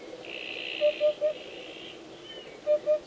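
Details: Hoopoe song: two soft, low hooted triplets, 'oop-oop-oop', evenly spaced with a short pause between, over a steady higher hiss of background noise.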